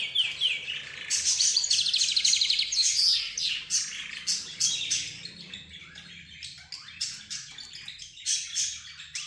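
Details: Budgerigars, zebra finches, roz birds and a canary in a cage chorus: loud trilled runs and whistles early, then quicker clipped chirps repeated several times a second.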